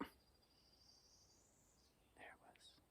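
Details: Northern Parula, heard but not seen, sings from high in a balsam fir on an Adirondack forest trail: a thin, high, buzzy trill climbing steadily over about a second and a half with a sharp note at the end. A man whispers softly at the end.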